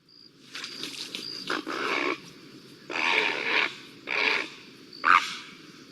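A great blue heron gives a series of harsh, rasping squawks, each a rough burst lasting under a second.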